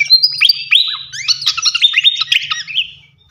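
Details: Flycatcher singing a rapid, open-voiced champion-style song used as a tutor recording: dense run of high sweeping whistles and sharp down-slurred notes, tapering off after three seconds.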